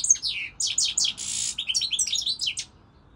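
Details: Goldfinch song this season: sliding, slurred chirps, a sustained buzzy rasp, then a bright, fast tinkling twitter before falling quiet.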